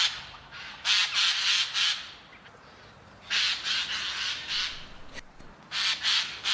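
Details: A Eurasian jay (Garrulus glandarius) gives loud, harsh, rasping screeches in three bursts, each about a second long, separated by quieter pauses.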